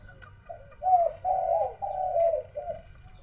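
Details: Dove cooing around 1 pm on a hot, overcast day at home: a soft opening note, then three long, mellow, level coos and a short closing note, with faint background hiss.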